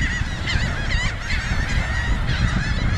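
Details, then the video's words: Laughing gulls feeding along a beach in Cape May County, Southern New Jersey, joined by a Ring-billed gull; a steady chorus of overlapping nasal, harmonic calls over a strong low rumble of surf and wind. "Laughing Gulls Feeding"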